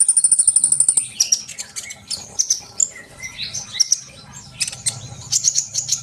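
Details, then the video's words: Fast sunbird song aimed at prompting young birds to sing, opening with a quick run of very high ticking notes, then a jumble of sharp chirps, slurred whistles and brief trills. "kolibri bahan pasti yaut dengar suara konin ini gacor?"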